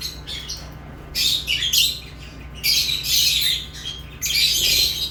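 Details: Rough, shrill lovebird chirps come in irregular bursts, some short and some drawn out into buzzy chatter, against a soft background hum.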